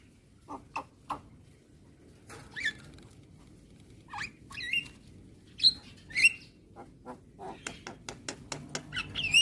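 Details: Javan myna training recording for young birds to play each morning: scattered dry clicks and snaps mixed with short harsh chattering and squeaky whistled notes, growing quicker and denser toward the end.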